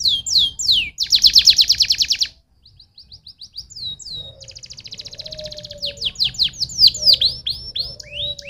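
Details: Stimulating canary song: loud falling sweeps, a fast rolling trill, a short gap, rapid chips and a long buzzy trill, then more sharp sweeping notes, with a faint low whistle underneath.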